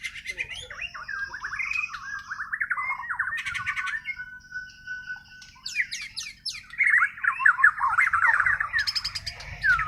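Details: White-rumped shama from Borneo (Kalimantan) singing its natural, untutored song: rich whistled warbling phrases with rapid slurred trills, broken by buzzy, scratchy bursts and short pauses between phrases.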